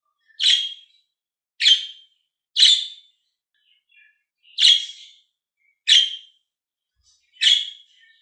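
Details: Budgerigars kept as green and blue pets give six bright, harsh chirps in two groups of three, with soft quiet notes in the pause between.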